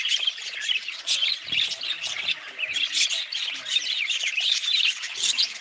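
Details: Busy budgerigar flock sound, with quick chirps, grating squawks and rippling warbles overlapping throughout and louder bursts every second or so.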